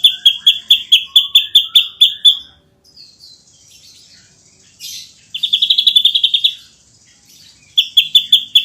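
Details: Gacor nembak rapat song of a champion ashy drongo: a loud high pulsed rattle for two seconds, a quiet pause with soft chirps, then two more rapid trill bursts.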